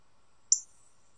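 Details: Bright red male Northern Cardinal, wild, chirping in a backyard tree where it stays year-round; one sharp, very high, clipped chip lasting a split second, falling quickly away, against an otherwise quiet background.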